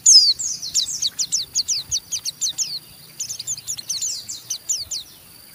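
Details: Rough 'ngeriwik' chattering of an Oriental white-eye, sung to provoke another white-eye into answering: a steady stream of high, quick down-slurred chips, densely repeated with a few slightly louder notes.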